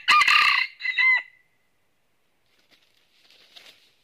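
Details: Northern Vietnamese red junglefowl kept as a red-eared trapping decoy, crowing on encountering a wild bird: a loud, harsh crow with a brief break midway, about one second long, followed by silence and soft rustling.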